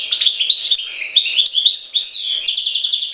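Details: Bright, rapid twittering of a European goldfinch associated with Jagodina, pure whistled notes mixed with chirps and ending in a fast, buzzing trill.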